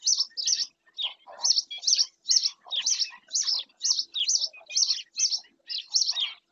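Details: Black-winged stilt in Doñana National Park, Spain: sharp, high yelping notes repeated quickly and steadily, more than two per second, in a clean recording with no other clear sounds.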